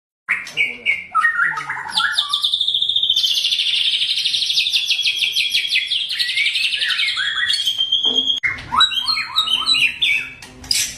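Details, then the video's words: White-rumped shama (murai batu) in full fighter song, used to provoke other shamas: dense, rapid, high notes, short rising phrases, then a long, fast, buzzy trill held for about six seconds, ending in jerky, varied notes. "tembakan tajam murai batu penuh emosi fighter"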